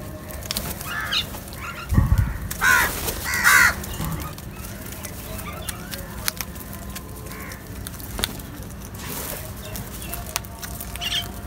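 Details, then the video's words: Crows feeding together: a few harsh, ragged caws cluster near the start, then scattered short calls over a steady, noisy outdoor background. "Crow Sounds"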